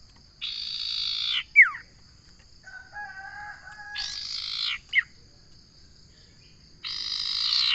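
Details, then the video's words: Common iora singing buzzy, rasping trills, each ending in a quick falling whistle. Softer lower notes fill the gap between phrases, and a third trill begins at the end. "Suara burung sirtu/ Suara burung Cipo/ Suara burung Cipow/ Suara burung cipoh"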